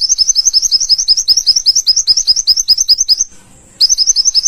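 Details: Olive-backed sunbird in vigorous song, offered as a tutor recording for training other songbirds: a fast run of thin, very high chirps, about four to five each second, briefly broken by a faint hiss before the series resumes.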